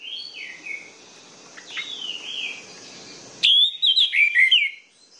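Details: Orange-headed thrush song meant to get silent, sluggish birds singing: soft distant whistled phrases, then a loud run of sweet, slurred whistles tumbling up and down in pitch for about two seconds.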